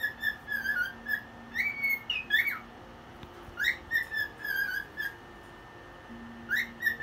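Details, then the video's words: Cockatiel dancing and singing at 1 a.m., a run of bright whistles, several rising sharply, grouped in clusters with gaps of a second or more between phrases; a soft low drone runs underneath. "Bird singing"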